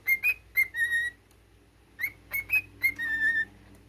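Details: A captive cockatiel sings its learned military tune, whistling short upward-sliding notes followed by a held, slightly falling tone, two phrases in four seconds, over a faint room hum.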